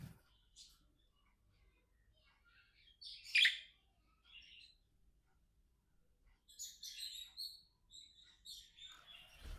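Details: Pet budgerigars, companions talking and playing together, give scattered soft chirps and one sharp squeaky call, then a longer burst of scratchy, twittering chatter near the end, all fairly quiet.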